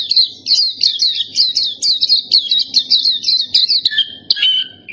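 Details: Pleci topi hitam, the black-capped white-eye, giving a quick high warbled phrase of looping notes, then slurred lower whistles at the close, low background murmur.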